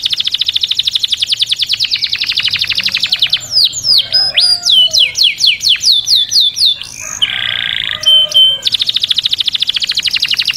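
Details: Canary song with fast high rolling trills at start and end, framing a middle section of sweeping whistled notes, rapid chips and a buzzy tour.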